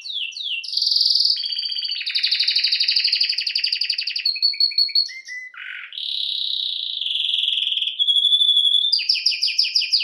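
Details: Canary (Serinus canaria) song used for training birds: long varied phrases of rapid trills and rolled tours, a low rasping note midway, then high repeated chips and bright whistled rolls, clear and loud.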